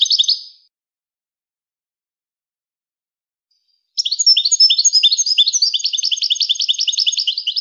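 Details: European goldfinch song in two parts: a short chirp burst, a long silent gap, then a sustained, fast twittering stream of high bright notes.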